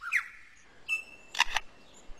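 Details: A male Superb Lyrebird, working sounds into its song to outsing rivals, mimics a camera shutter: a brief whistled note, then two sharp mechanical clicks in quick succession (one viewer suggests a shotgun instead).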